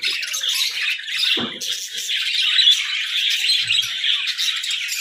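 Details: Caged budgerigars interacting in a shared hut: loud, unbroken high chatter of many birds, scratchy and warbling, with one short lower sound near the middle.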